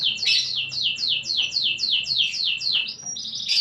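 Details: A canary singing in its unique cengkok style, repeating a loud high downward-slurred note about four times a second, ending in a brief steady whistle.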